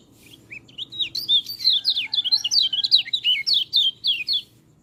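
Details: White-eye song for coaching reluctant singers: a fast, lively chatter of high slurred whistles, rising and falling notes tumbling together for about three seconds before stopping, over a faint low hum.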